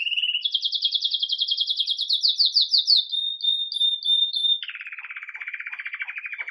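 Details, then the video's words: Belgian canary, agate red mosaic, singing in campainha (bell) style while starting the day lively, recorded live: a high trilled phrase of rapid repeated notes, then clear bell-like tones, dropping into a lower buzzy rattling trill. "Canário Belga Ágata Vermelho Mosaico Canto Campainha"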